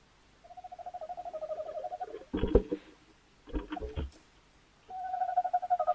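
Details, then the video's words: Tawny owl, 11 January 2026, giving rhythmic quavering hoots made of fast pulses, broken by two bursts of loud scraping and knocking, then another pulsed hoot. "Tawny owl"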